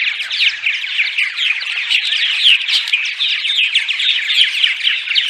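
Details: Purple martin dawn song for attracting martins to nest sites: constant chattering and liquid gurgling from several birds, with occasional brighter whistled notes rising above the steady chorus.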